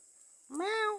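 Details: Pet myna, kept for four years, mimicking a cat: one drawn-out meow-like call that rises, then holds steady with a rich stack of harmonics, ending after about half a second. A faint steady high hiss sits in the background.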